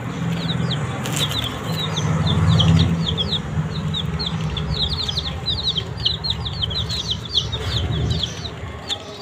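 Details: Desi chicks eating green leaves peep in a fast, high chorus of falling notes while a loud low hum, like a motor or fan, runs beneath, strongest during the first seconds.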